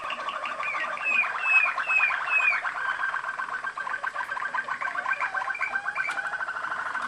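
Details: Waterslager Malinois canary bred in Macedonia from former champions, recorded in Kumanovo: clear downward-sliding whistles give way to a fast rhythmic rolling, gurgling trill with looping notes.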